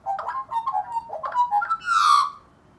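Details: Australian magpie at a wildlife rescue answering a resident wild pair with juvenile: quick chortling warbled notes building to a loud, harmonically rich rising carol.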